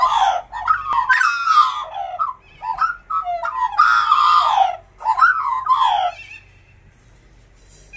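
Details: Australian magpie family of four visiting a front door in the morning, singing a chorus: warbling, harmonic phrases that slide up and down, delivered in bursts separated by short pauses, with the last seconds nearly quiet.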